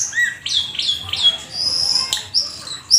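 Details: Black-winged starling (jalak keling) with a dense gacor full isian phrase of overlapping whistles, slurred chirps and a harsh scratchy texture, with no pause.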